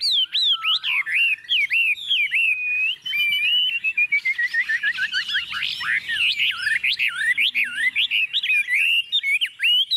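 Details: Tame Chinese hwamei singing boldly while perched on a table: loud varied whistled phrases, swooping up and down, with a quick descending run of short notes in the middle, then more rapid looping whistles.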